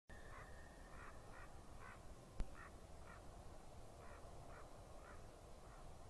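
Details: Two white-tailed eagles chasing each other near a nest in Latvia at 9:57 on 15 February 2017, giving serious calls: short, yelping, mid-pitched notes, a few each second, over a steady low roar of wind, with one sharp knock partway through.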